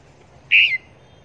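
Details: Red-whiskered bulbul kept as a decoy bird for trapping near Long Thành, giving one loud, short whistled note that starts high and slides slightly downward, over quiet background hiss.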